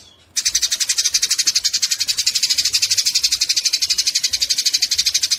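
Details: After a moment of quiet, fighting Eurasian tree sparrows break into continuous shrill chatter, rapid buzzy chirps running about four per second to the end; recorded as tutoring material for songbirds.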